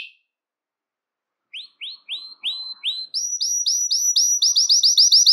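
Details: Belgian canary singing to excite males and bring females into breeding condition: after a brief chirp and a pause, upward-slurred notes begin slowly and speed into a bright, rapid high trill.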